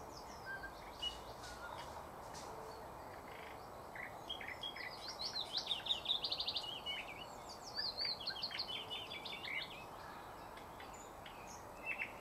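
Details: Thrush nightingale singing in 2024 during bird catching: a run of varied, fast whistled and trilled phrases with rising and falling notes, densest in the middle of the recording, over a steady hiss of background noise.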